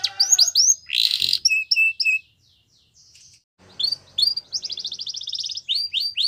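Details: Yorkshire canary training song for young canaries, with short high swept notes, a harsh burst, a brief pause, then a quick rattling trill and further swept phrases.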